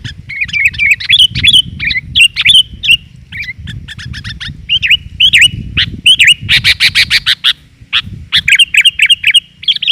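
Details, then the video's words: Female sooty-headed bulbul call used to lure males: bubbly, warbled phrases with rising and falling notes, repeated rapidly, with a burst of dense scratchy notes midway and a low rumbling hum beneath. "BURUNG KUTILAN GAJOR, COCOK UNTUK PANCINGAN"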